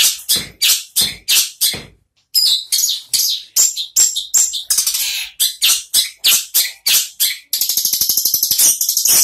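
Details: Long-tailed shrike in a cage, singing at once after being uncovered. Rapid series of harsh, clipped high chirps, then a short pause, then varied scratchy phrases ending in a fast buzzy rattle of evenly spaced ticks.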